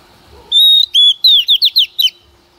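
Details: Decoy female white-rumped shama, played to stimulate males to sing, whistles one long pure note, then a shorter one, followed by six or so rapid swooping chirps before stopping.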